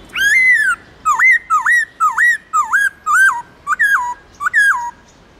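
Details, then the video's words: In wild-style song used to train caged birds, a white-cheeked laughingthrush from Vietnam's Central Highlands gives about nine ringing whistles: an arched opening note, then repeated hooked notes that leap upward, and closing falling slurs. "Luyện khướu bạc má Hót Giọng Rừng kích khướu hót cực sung/khướu Tây Nguyên hót giọng rừng âm dài rõ"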